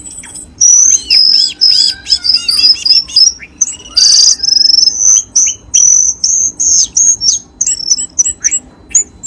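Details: Long sequence of high whistled notes from a cucak keling, some in trills, others sustained and rising. Used to stir kept birds into singing.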